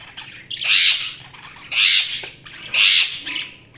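Budgerigar giving harsh, scratchy chirps repeated about once a second.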